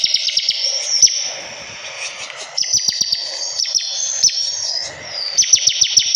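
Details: Bar-winged prinia singing continuously in the rapid ngebren manner, with bursts of high shimmering trill separated by short pauses, each burst studded with quick sharp descending notes and clicks; faint low ticks sound underneath.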